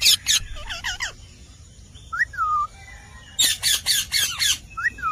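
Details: Indian parrot, the rose-ringed parakeet, calls: loud harsh screeches with warbling notes at the start, a looping whistled note, then a rapid series of about six raspy squawks and a final whistle.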